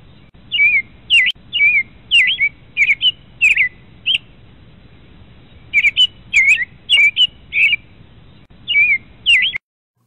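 An American Robin sings clear, rising-and-falling whistled phrases in quick runs of three to five, with brief pauses between runs. No other sounds are heard.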